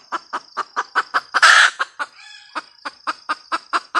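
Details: Red junglefowl hen gives a rapid string of sharp clucks around a loud, rasping squawk, then a brief softer lull before the quick clucking starts again.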